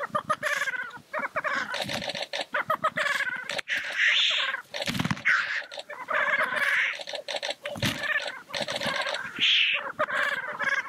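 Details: Black grouse at the lek. Dense stacked cackling and chattering notes overlap with breathy hisses in a busy, nearly continuous chorus.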